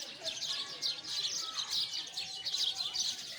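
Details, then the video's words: Sparrows chatter in a lively burst of overlapping shrill chirps that rise and fall in loudness. "Listen the voice of sparrow"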